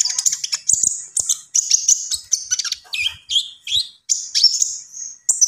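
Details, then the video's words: Common iora singing energetically, a rapid, varied run of high chirps, buzzy trills and clear whistled notes, some dropping and some sliding up, with brief gaps between phrases. "SUARA BURUNG KONIN GACOR"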